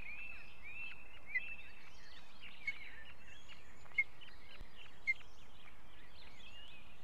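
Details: Osprey at a nest in Estonia, 2018: short, sharp whistled notes repeated roughly once a second over a steady background hiss, with faint chirps from small songbirds mixed in.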